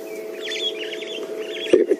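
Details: On a morning safari drive in the African bush, starlings call as they fly over while a dwarf mongoose sentry watches the sky; quick warbling, chattering phrases of wavering high notes over a low steady hum.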